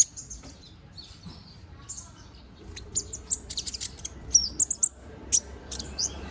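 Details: Brown-throated sunbird, young and still regrowing its plumage, begins softly, then breaks into a quick run of piercing high chirps and thin twitters in the second half.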